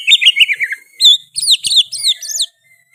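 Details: Oriental magpie-robin in full song with mimicked sooty-headed bulbul phrases, loud and clear: a quick burst of bubbling chirps, then repeated high, looping, downward-curving whistled notes in quick succession, ending abruptly.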